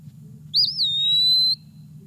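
An Eastern Wood-Pewee gives one clear, slurred whistle. It wavers up, down and up, then holds a long, even note for about a second over a low steady hum.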